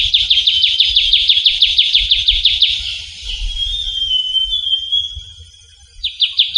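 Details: Trilling shrike-babbler (ciu kunyit) calling in the wild in a Javan forest: a loud, fast trill of rapid repeated notes for about three seconds, followed by a thin, sustained high whistle, then the trill starting again.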